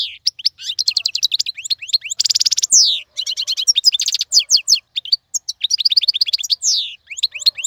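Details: Lively European goldfinch song intended for teaching chicks: rapid twittering phrases interwoven with rasping buzzes and falling whistles, barely pausing across the whole stretch.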